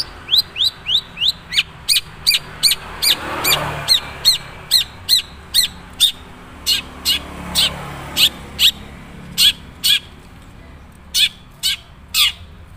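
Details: Long-tailed shrike of the Madura type giving its natural song, which has not yet taken on many learned phrases. A quick run of sharp, downslurred chirps repeats about twice a second, with a softer rasping passage midway.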